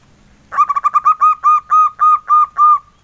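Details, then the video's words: A local male zebra dove sings in engkel style, a mellow phrase of about eleven soft coos, rapid at first, then slowing to evenly spaced longer notes. "SUARA PERKUTUT LOKAL JANTAN, SUARA ENGKELnya YG EMPUK BANGET"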